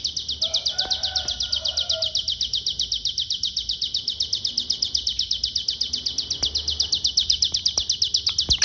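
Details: Pygmy bushtit from Cililin delivering its "konslet" song, a thin, very fast trill of evenly repeated high notes, about four per second, running without pause. Faint lower chirps from another bird come early on.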